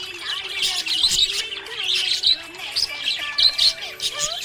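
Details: Budgerigar chattering happily, a busy stream of bright, scratchy chirps and tweets that rise and fall in rapid bursts, over faint background music tones.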